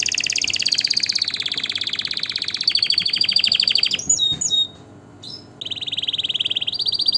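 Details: Canary song used to teach chicks and to stimulate males and females for breeding: rapid rolling trills at mid-high pitch that switch between tours, a short broken passage near the middle, then a steady lower trill rising again at the end.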